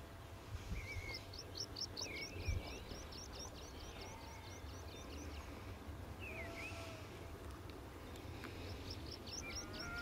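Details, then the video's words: Meadow pipit perched in sun among skylarks at Pegsdon Hills in May 2014 gives a fast series of thin, high, downslurred 'tsip' notes, about five a second, with other bird notes and wind rumble. "Meadow Pipit"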